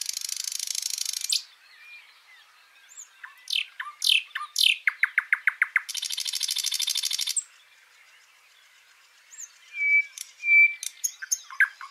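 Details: Washington State backyard birds: a buzzy trill opens, then sharp rising chirps and a fast series of clipped notes. A long rasping trill follows, and quieter whistles and twitters come at the end.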